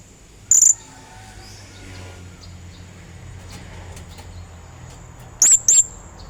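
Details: Energetic lure song of a blue-crowned hanging parrot calling a rival: a short shrill high note early on, then two quick high notes about five seconds later, with faint rumble between.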